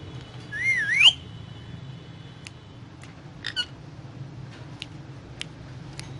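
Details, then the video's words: Indian ringneck parakeet eating guava gives one loud whistled note that dips and then sweeps sharply upward, followed by scattered faint clicks and ticks over a low hum. "Indian Ringneck Parrot talking and eating guava"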